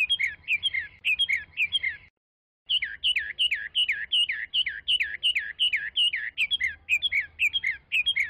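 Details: Chinese hwamei song: a long run of rapid, repeated slurred whistled phrases, each dipping and rising, delivered in quick succession with a brief pause after two seconds, then continuing steadily; faint low hum underneath.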